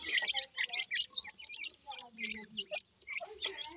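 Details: Francolin chicks being fed, giving a rapid series of high, thin peeping chirps in quick bursts, with softer low notes underneath and brief pauses between runs.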